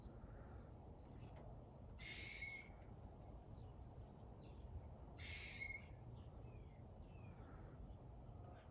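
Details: Backyard chickadee giving two short, harsh, buzzy dee-like notes about three seconds apart, faint against a steady low rumble and a constant thin high whine.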